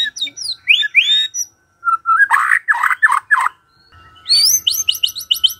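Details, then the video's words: White-rumped shama singing in the morning, used to provoke a quiet bird into song: varied whistled phrases, a cluster of loud rich notes mid-clip, then a fast run of high repeated chips. "Pancingan PAGI-PAGI AGAR MURAI GACOR❗ murai diam pasti ikut NYAUT❗❗"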